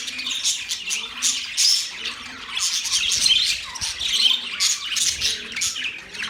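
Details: Scratchy budgie chirps and squawks pulse in loose bursts, rising and falling in loudness, with dense chatter throughout.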